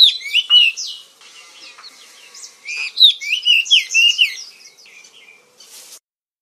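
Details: Oriental magpie-robin, called kacer in Indonesia, singing bursts of bright whistled and warbled notes, a quiet gap of over a second between two phrases, ending with a short rasping note.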